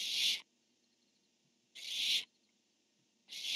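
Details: Nest-camera barn owls, a male calling and a female answering: three loud, raspy hissing screeches, each under half a second, spaced about one and a half seconds apart.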